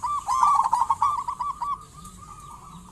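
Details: Vigorously singing local zebra dove gives a fast, bubbling trilled coo, loud for its first half then fading to a faint steady hum, with a new coo starting at the very end.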